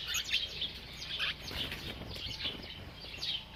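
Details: Sparrows in a village, playing and bathing, give short, bright chirps in quick bursts, several overlapping, with soft background noise.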